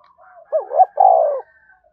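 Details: Energetic thúc bổi coo of a spotted dove: a wavering two-part opening note, then a long steady mellow coo; soft fainter calls and a thin high tone sound quietly behind.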